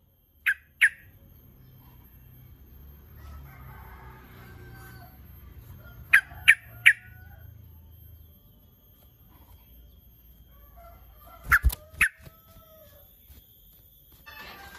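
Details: Sooty-headed bulbul call meant to lure rivals into replying: short, sharp "cuk" notes in brief clusters of two or three, separated by long quiet gaps, with a faint low hum beneath.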